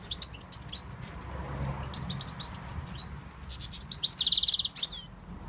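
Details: Tunisian European goldfinch giving quick, high twittering notes that build into a dense, buzzy trill near the end, followed by a few sharp chirps; a low hum runs underneath.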